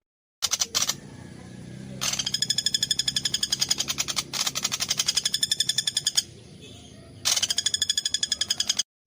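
A woodpecker drums in fast, even, dry taps, about eight a second, with brief pauses. Sharper bursts at the start and near the end.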